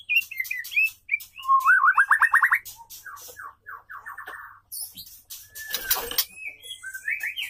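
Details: Caged female white-rumped shama calling for a male, short whistles, then a rapid rising-falling trill series, stuttered notes and a burst of rattling noise.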